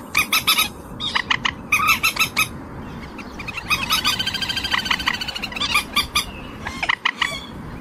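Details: Common moorhen uttering clustered harsh clucks, then a longer rapid chattering stretch of quick repeated notes, followed by a few scattered calls. Steady background hiss.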